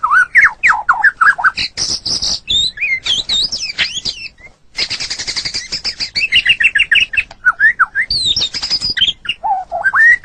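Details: White-rumped shama, murai batu, kept caged, delivering a dense stream of whistles, buzzy rattles and fast chattering runs, with a brief pause midway.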